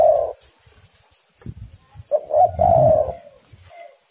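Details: Spotted dove song from doves answering each other, used as a lure to make doves sing: a brief coo at the start, then a longer low rolling coo phrase after two seconds, with soft low knocks between.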